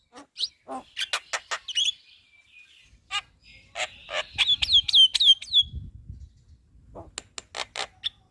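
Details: Javan myna chattering noisily, a training recording for other songbirds: a quick series of sharp chirps, a pause, then a rapid run of bright, slurred whistles, ending in more clipped chirps.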